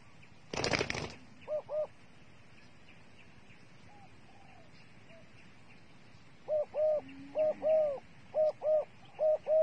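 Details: Bait dove used in bird trapping: a sharp burst of noise, then a quiet spell, then steady paired low coos repeating about once per second.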